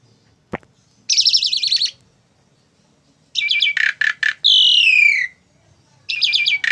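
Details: ['Asian pied starling kept as a tame bird, producing a rapid buzzy trill, then a stuttering series of harsh notes and a long descending whistled slur, ending with another rattling burst; one sharp click near the start.']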